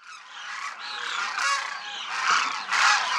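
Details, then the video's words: A large flock of demoiselle cranes over a Rajasthan village in India, flying and feeding in formation, produces a dense, continuous chorus of overlapping rolling, croaking calls that swell and fade over about three seconds. "Demoiselle Cranes croon"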